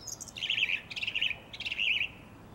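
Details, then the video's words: A single song thrush in a garden, April 2021, delivers a rich warbled phrase three times over, each a rapid trilling wobble, with short high notes slipped in between. "A most beautiful Song Thrush - April 2021"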